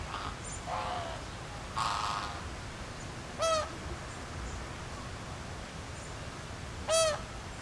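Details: Flock of captive flamingos at Philadelphia Zoo, gathering and circling with flapping wings; scattered nasal honks, then two loud, sharply harmonic honks about three and a half seconds apart, with constant low murmur behind.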